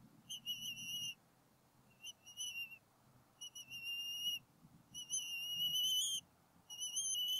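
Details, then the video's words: Bald eagle calls from a nest on Berry College campus in NW Georgia, 8 April 2018, during an intruder chase by the male; distant, thin, sustained whistles repeated about every second and a half, against a low rumbling background. "Intruder around the nest"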